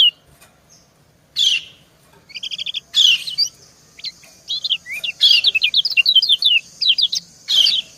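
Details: Female white-eye calling back and forth with a male; buzzy chirps, a pair of short doubled notes, then a lively run of high, quick, downslurred twitters ending in a buzzy chirp.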